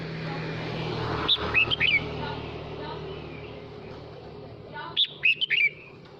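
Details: Male red-whiskered bulbul singing to call the flock: two short bursts of bright, tumbling whistled notes about three seconds apart, set against a steady background rumble of noise.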